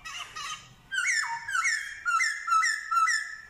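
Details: Black-throated laughingthrush in song, mimicking dogs, cats and chickens. A scratchy harmonic opening gives way to loud, rich, rising-then-falling notes, repeated roughly twice a second, each ending in a short upward flick.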